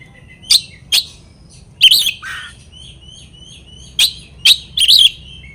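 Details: Oriental magpie-robin sounds aimed at provoking rivals: scattered sharp chips and short harsh notes separated by pauses, with soft thin whistles between them.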